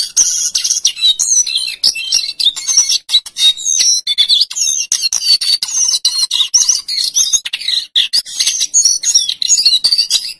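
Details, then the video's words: A male lesser shortwing sings without pause: a rapid, high, jumbled warble of thin whistles and sharp chips, running continuously with no other sounds. "Suara Jongkangan Coklat Jantan GACOR Ngerol Nyuling"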